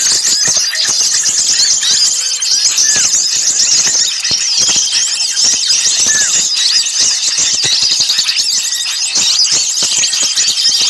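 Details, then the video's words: Lure recording of many small birds calling noisily, used to draw birds in for catching: an unbroken wall of shrill, overlapping chirps and twitters, with a few short sliding whistles surfacing through the din. "suara pikat burung kecil ribut"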